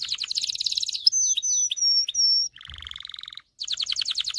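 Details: Excited male canary singing, used to train males to sing and prepare females for mating: fast buzzy trills, sharp whistled notes sliding down, then a lower rattling roll before another rapid trill.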